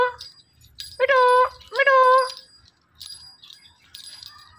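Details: A talking Indian ringneck parakeet repeats "Mitthu" as two quick, harmonic, speech-like syllables in a row, then brief faint high chirps and soft low background noise.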